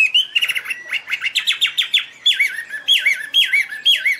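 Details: Chinese hwamei (Garrulax canorus) singing loud, clear, pure whistled phrases while waving wings and tail: rapid slurred notes, then a run of repeated falling whistles about every half second.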